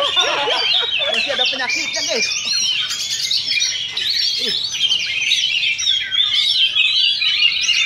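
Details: Singing contest between Oriental magpie-robins at a Sunday practice event in Sindanglaut: vigorous high, varied song of whistles, buzzy trills and quick repeated notes, over steady spectator chatter.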